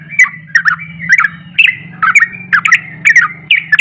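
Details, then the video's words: Sooty-headed bulbul singing an agitated, emotional ropelan song meant to provoke other bulbuls: loud, rapid, slurred chattering phrases that rise and fall, repeated about twice per second, over a low steady hum. "Ropelan Penuh Emosi Langsung bikin Panas Bunyi Trucuk Lain"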